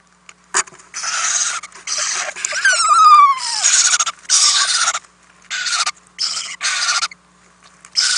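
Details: Owlets in a nest box at night on 4-10-2018, fed by two adults delivering many prey items; harsh broadband hissing bursts repeated in quick succession, with one brief falling whistled screech in the middle.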